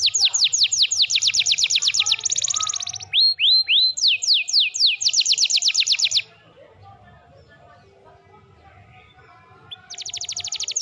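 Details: Canary singing energetically, recorded as tutor material: fast trills of high descending notes, a brief flat whistled tour, slower looping swoops, then renewed quick trills before about three seconds of near silence and a fresh rapid trill.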